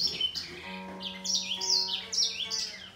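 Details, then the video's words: Grey singer finch and green singer in a singing fight, trading phrases: a busy run of high, sliding whistles and sharp chirps, with a sustained low tone droning underneath. "Gery singer finch VS Green singer singing fight 灰燕和金青斗唱"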